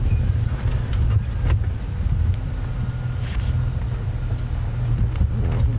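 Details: A vehicle's low engine rumble on a safari drive dominates, with a few scattered clicks and knocks and no animal calls.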